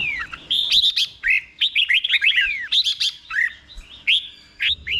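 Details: Thai caged red-whiskered bulbul, slow clear song used to teach other bulbuls; almost continuous bright warbling, rapid rising and falling whistled notes strung together, with a final short phrase after a brief break.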